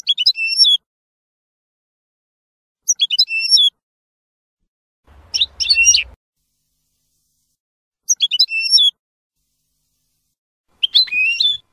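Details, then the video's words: Teaching recording of European goldfinch song, F.O.C.S.E. code for novice birds: brief dense phrases of high twittering, about twelve a minute. One phrase carries a faint low rumble underneath. "CD JILGUERO F.O.C.S.E 30min para educar a jilgueros noveles. Chardonneret Goldfinch"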